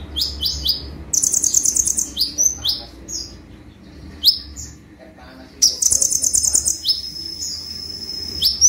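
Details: Sunbird song of fast buzzy high trills broken by clusters of sharp falling chirps, with a quiet gap midway before another long trill.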